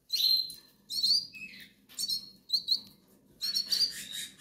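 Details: Goldfinch nestlings from the Canary Islands, hungry and begging: loud thin high whistled squeaks in short bursts, one dropping note, over a steady low hum.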